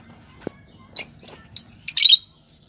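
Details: Lovebird with four shrill chirps in quick succession, the last drawn out and rougher; a single faint click precedes them against a quiet indoor background.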